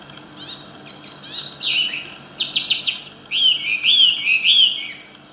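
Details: Chinese hwamei in the wild, where it sings fully, unlike caged birds: a varied run of loud, rich whistled phrases, some rising and slurred, others quick repeated notes, over a faint steady hum.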